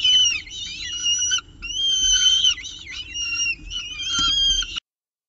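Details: Peregrine falcon on the CSU Orange nest with pigeon prey, 7:59 am, 24 October 2018. It gives three or four long, loud, harsh wailing calls with bending notes, separated by short pauses, ending in silence.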